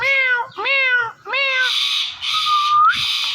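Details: Three quick, nasal meow imitations from a pet ringneck parrot, followed by a hissy breathy sound and one smooth upward whistle.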